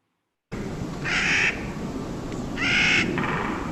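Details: Clark's nutcrackers at Meadow's Edge, Big Bear Lake, California, around August: a mother and a juvenile wanting to be fed call back and forth, with two loud, grating, drawn-out kraa calls about a second and a half apart, over a steady hiss.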